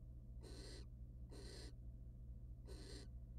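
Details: Barn owl pair in a wild nest box as the male mates with the female and preens her plumage; three short harsh hissing bursts, the last after a longer pause, with a constant low droning hum.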